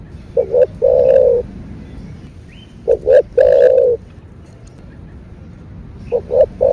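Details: Spotted dove cooing in the 'thổ bầu' style ('gáy gọi + thúc') to fire up caged birds: phrases of two short clipped coos followed by a long hollow note, repeated about every two and a half seconds.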